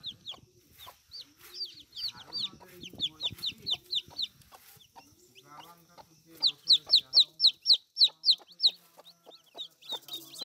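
A hen gives low, throaty clucks beneath steady runs of thin, high peeping notes, repeated about four times a second in two bursts.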